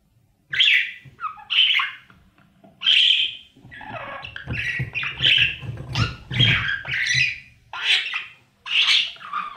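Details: Budgerigar babies inside a breeding nest box, fed by the parents; harsh rasping squawks in bursts roughly every second, some with wavering tones, over low rustling and shuffling in the box.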